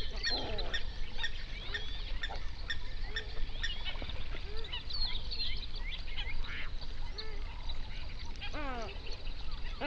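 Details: Hundreds of flamingos on a national park lake in the Overberg, South Africa. A low, even rumble carries many soft, distant honks and chatter, with a couple of louder, harsh calls at the start and near the end.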